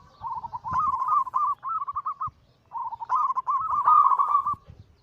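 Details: Perkutut (zebra dove) song from local and Bangkok-cross birds: two long rolling phrases of fast, purring coo notes, each ending in a row of separate clipped notes, with a clear pause between them.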